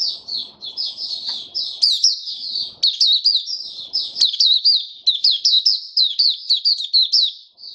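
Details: Singing white-eye in a cage: an unbroken stream of high, sweet twitters and slurred chirps, growing into rhythmic bursts of rapid notes, with faint low thuds and rustles.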